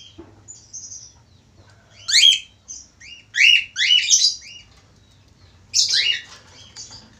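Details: A male budgerigar, singing actively, gives a long chattering warble of repeated scratchy chirps and sweeping notes in clustered bursts, louder around the middle, with softer twitters between and a low background hum.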